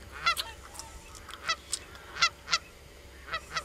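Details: Common cranes calling: loud bugling honks with stacked harmonics, given in short bursts of one or two notes about every half second to second, several overlapping, over a faint low background rumble.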